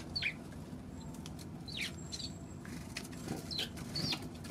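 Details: Eurasian tree sparrows, March 16: scattered, fairly quiet chirps falling in pitch, heard about four times across a steady background of patter and low rumble.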